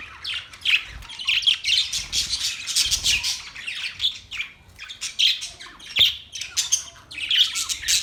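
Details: Pet budgerigars twittering in a lively mix of scratchy chirps, brief squawks and clear whistled notes, delivered in irregular bursts with short pauses and occasional soft low bumps.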